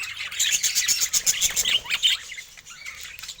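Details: Budgerigar calls: a quick series of bright, repeated chirps, followed by squeaky warbles and rising notes that fade toward the close.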